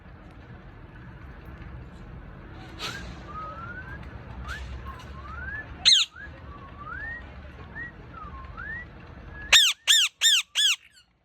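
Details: Pet parrot kept at home: soft rising and falling whistled notes about once a second over background hiss, then four loud harsh squawks in quick succession at the end.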